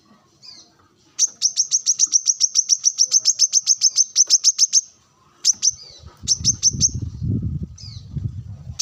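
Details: Brown-throated sunbird (kolibri kelapa) singing hard during sunbathing, challenging rivals among wild birds: a long fast string of about twenty-five sharp high-pitched notes, then scattered chips over a low rumbling background.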